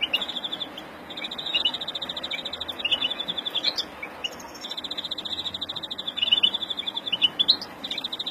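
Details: European greenfinch of the Verdune mutation, agitated and in breeding song, April 2016: repeated phrases of quick high trills, each a couple of seconds long, with brief upward flicks between them.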